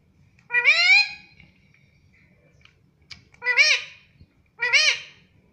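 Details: Pet parrot saying words such as "mummy": one drawn-out rising harmonic syllable, then two short arched syllables about a second apart, with quiet indoor background hum.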